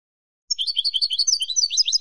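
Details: Song of a Spanish European goldfinch: a continuous rapid stream of high, tinkling, twittered notes lasting over a second and a half, with a few buzzy slurs. It starts abruptly and is heard against clean silence.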